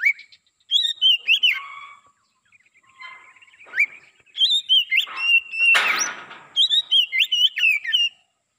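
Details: A black-breasted Oriental magpie-robin, a decoy bird used to lure wild magpie-robins, sings loud, varied whistled phrases, rising and falling notes in quick bursts with brief pauses, plus one harsh rasping burst midway.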